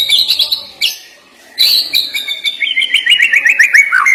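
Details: White-rumped shama singing sharp song fills. A bright warbled phrase is followed by a pause, then a long run of varied notes that ends in a fast descending trill of repeated slurred notes.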